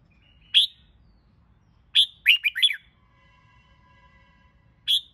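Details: Red-whiskered bulbul trained for singing competition: a sharp note, then a rapid bright phrase of four or five slurred notes, a faint steady hum, and another sharp note to close.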